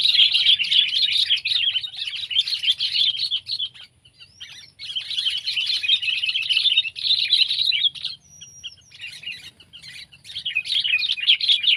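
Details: Sooty-headed bulbul in long bouts of dense, rapid chattering separated by short near-silent gaps with a few faint thin whistles, then chattering resumes strongly.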